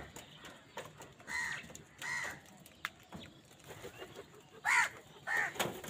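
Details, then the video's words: Crows calling while wild birds fight with them over food, angry behaviour; harsh nasal caws come in irregular bursts, two loud ones near the end, over a faint background of other calls. "Crow Bird Unity Anger and Sound | Crow Sound কাকের ডাক | Wild birds fight with crows for food"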